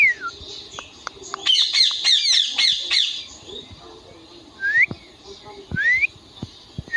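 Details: Indian ringneck parakeet making sounds: a burst of fast harsh squawky chatter over a background hiss, followed by separate slurred whistled notes at intervals.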